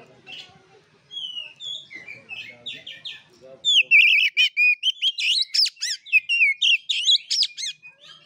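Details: Oriental magpie-robin, fighting-style 'gaya kura kura' song meant to spur birds into singing: quiet mixed chirps and murmurs at first, then loud rapid whistled and wavering phrases repeated about four times a second.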